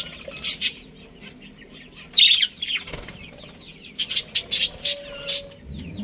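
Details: Budgerigar colony with a breeding pair, kept as pets: scattered bursts of sharp, scratchy high chirps, several rapid notes close together, with gaps of near quiet, a brief steady tone and some clattering.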